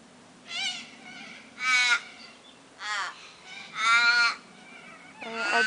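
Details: Flock of Corellas, Long-billed or Short-billed uncertain, feeding on olives in backyard trees on a summer morning: harsh, screeching calls in loud bursts about every second or two, several birds overlapping, with a steady low hum behind.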